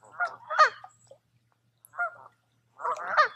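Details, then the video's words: Geese on a lake at a wooded resort in Tamiment, Pennsylvania, in July; a pair of nasal honks, a lone honk after a silent gap, then a closing burst of overlapping calls. "Relaxing With Some Geese"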